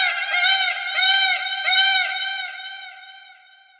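Indian peafowl giving a loud, nasal, wavering wail that swells three times in quick succession before fading away; no other clear sounds.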